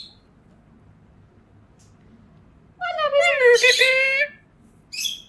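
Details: An Indian ringneck parakeet, a talking parrot, speaks a high, nasal, wavering word lasting about a second and a half, apparently "peekaboo", then gives a brief high squeak.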